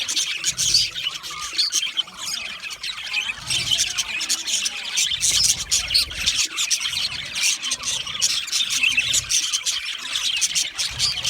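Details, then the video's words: Budgerigars singing and chirping nonstop: a long, even stream of high warbles, squeaky chirps and rasping notes layered together, loudness flickering rapidly throughout. "Budgie singing and chirping sounds"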